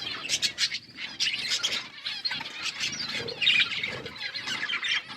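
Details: Budgerigars, several birds, chirping while eating: dense, overlapping high chattering chirps and squeaky warbles throughout, with no pauses.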